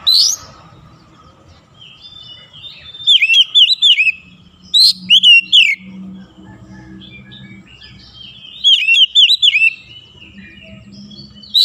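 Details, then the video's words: Oriental magpie-robin (kacer) singing in morning sunlight: bursts of loud whistled, looping notes around 2-4k with harmonics, delivered in short phrases of four or five notes separated by quiet pauses; faint low hum beneath. "SINAR MATAHARI PAGI SANGAT AMPUH MEMBUAT KACER LEBIH GACOR"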